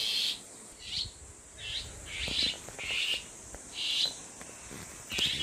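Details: Bull-headed Shrike mother defending six chicks by a rural home in Geumsan County, South Chungcheong, Korea, old smartphone: a steady series of seven harsh, grating squawks, roughly one every 0.7 seconds, with faint rustling between.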